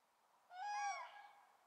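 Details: Single harmonic, trumpeting call of a common crane, newly arrived at the Swędrnia floodplain in Rożdżały, 18 February 2017, on a misty day with poor weather. The call is a half-second ringing note over faint background hiss.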